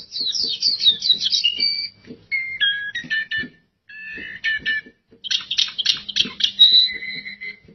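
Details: Oriental white-eye song mixing fast high twitter runs with clearer whistled notes and short repeated chip groups, separated by brief silences. It closes on a long steady whistle over soft clicking and a faint low hum.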